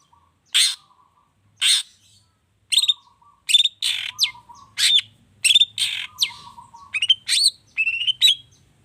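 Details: Excited long-tailed shrike song packed with imitated phrases, meant to stir other birds into singing. Two harsh scratchy bursts open, then quicker clipped whistles, buzzy notes and high piping phrases follow close together, over a faint steady low hum.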